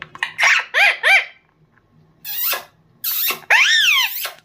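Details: Pet green parrot, young, imitating human laughter: bursts of harsh, chuckling syllables with arched, wavering pitch, a quick run of three laughs, then two raspy noisy squawks and a longer rising-falling laugh, indoors in a small room.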